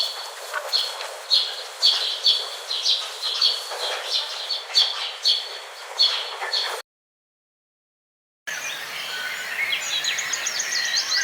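Parrot calls: rapid harsh chattering notes about twice a second, then a short silence and a burst of squeaky, warbling whistles.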